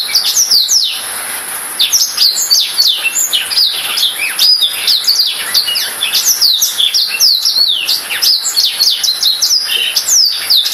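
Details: Black-throated canary singing a long, energetic warble: quick successions of high, steeply downslurred and upslurred whistles, varied trills and twitters, nearly unbroken for ten seconds, with faint constant hiss behind.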